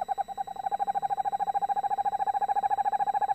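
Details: Eastern Screech Owls, male and female, "talking" together in a nest box; a fast, even trill of pulsed notes on a single unchanging pitch runs throughout.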